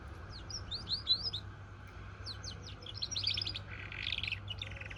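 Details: Canary crossed with goldfinch sings short bursts of high, swept chirps, then a buzzy rasping phrase and more twittering notes, against a faint low hum.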